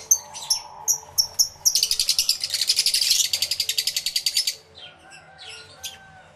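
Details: Many lovebirds, including yellow-collared lovebirds, calling in an aviary, recorded live with two external microphones: sharp high chirps, then a rapid buzzy chatter of evenly repeated notes for about three seconds, then scattered softer chirps.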